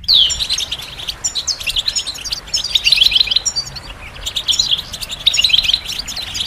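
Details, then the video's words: Goldfinch chirps and song for training birds: it opens with a bright downslurred whistle, then continuous high twittering and tinkling trills with short breaks. "The finest goldfinch chirps and songs for listening and training birds"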